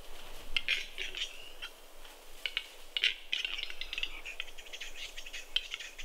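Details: Spring lek in snowy Kuusamo, Finland, May 2021, where several western capercaillies are fighting: scattered hard ticks that run into quick rattling clusters, some louder single clicks standing out, with quiet gaps between them.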